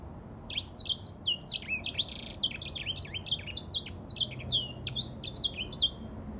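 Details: Grey singing finch delivering a nonstop, rapid warbling song of high twittered notes, downward sweeps and short trills packed closely together, with soft background hum beneath.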